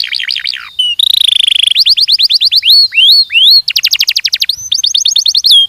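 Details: Belgian canary training song: falling whistled notes, a long buzzy trill, rapid rattles, rising swoops and a fast pulsing trill in quick succession.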